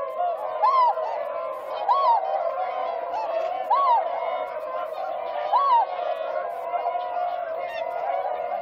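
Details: Northern Pintail recorded 2 January 2023 between Motono and Inba-numa, Inzai, Chiba, Japan; short rising-falling whistles repeated roughly every two seconds over a steady chorus of many waterfowl murmuring calls.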